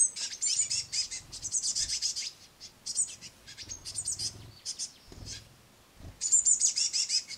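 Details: Noisy great tit nestlings at a window sill bird table, fed crushed madeleines by a busy parent; fast, piercing high squeaks in rapid runs of about three per second, pausing briefly then bursting out again.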